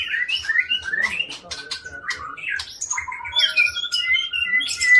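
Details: Long-tailed white-rumped shama from Aceh, a breeding bird described as loud with varied, well-ordered song: rich fluting whistles, slurred phrases and sharp notes, with a steady low tick in the background.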